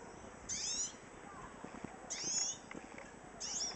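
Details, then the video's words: A hooded siskin calling: three short, high, thin twittering bursts, roughly one every one and a half seconds, over a low background hum. "cabecita negra llamando"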